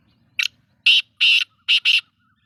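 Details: Black francolin calling in a loud, rasping phrase: a short scratchy note followed by two drawn-out harsh notes and a fast double note, all within about two seconds, against near silence.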